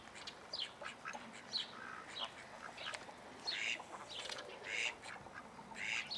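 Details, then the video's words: Juvenile call ducks with chicks in a private collection in Holland: scattered short harsh quacks and squeaky high notes in irregular bursts, several birds calling over a low background hum. "call duck (juveniles)"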